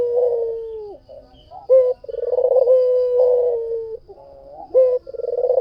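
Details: Low purring coos from a white dove singing at full strength. A long trilled, wavering note drops away, then quieter coos lead to a sharp upturned note and another rolling, held phrase.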